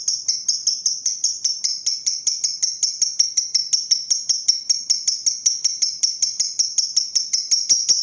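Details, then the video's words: High, metallic ticking from a pastel green lovebird, the 'ngetik' style that leads into its 'ngekek' song, with evenly spaced clicks for eight seconds and a faint thump near the end. "love bird ngetik sambung ngekek pastel hijau"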